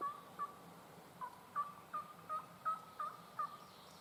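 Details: Late-season spring woods in Virginia, where a big tom wild turkey, kept near his hens, gobbles at some distance. Faint, rolling bursts repeat roughly every half second over a steady hiss of background noise.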